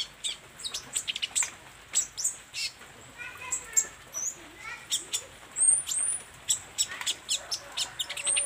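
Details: Olive-backed sunbird in full song, showing its repertoire: quick high thin chips and sharp ticks mixed with short fluting whistles and brief sliding squeaks, delivered in irregular bursts among other busy bird chatter.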